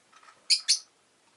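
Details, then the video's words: Rosy-faced lovebird kept as a pet, giving two shrill, harsh, buzzy chirps in quick succession, each lasting under a quarter second and separated by a brief gap, with faint softer chirping just before and otherwise quiet surroundings. "Lovebird Chirping Sounds"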